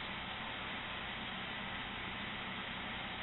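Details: Only a steady hiss of broadband noise, like a fan or distant traffic, with no animal voice. No calls, chatter or speech stand out at any point.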